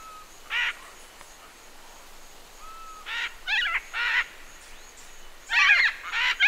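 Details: A single wild green-winged macaw in flight at Tambopata Research Center, giving harsh, raspy squawks in short bursts, isolated at first then clustered near the end, over a steady hiss of forest background.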